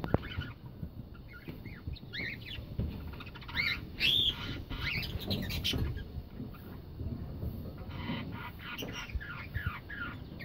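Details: Cockatiels in a breeding colony: a few harsh, rising-falling squawks, some in quick runs, over steady low rumbling background noise and handling sounds.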